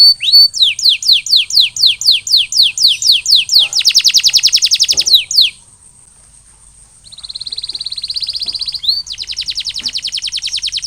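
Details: Canary song for a bird recovering after molting: a run of fast downward-sweeping whistled notes, then a rapid buzzing roll, a short pause, a flat steady trill and another quick rattling roll.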